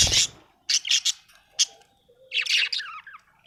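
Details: Budgie in a happy mood chirping busily, with short squawky bursts and high bright chirps in quick clusters, then a longer chattering warble at the end.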